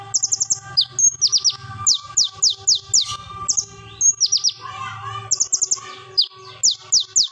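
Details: Plain flowerpecker song used as a lure for training birds, described as loud and sharp; rapid series of high, thin descending whistled notes in quick bursts, with a faint steady low hum in the background.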